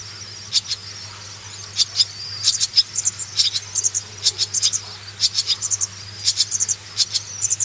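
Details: Young swallows being reared call for food: dense runs of sharp, high, rasping chirps, often in pairs and triplets, with a faint twittering thread between bursts and a steady low hum.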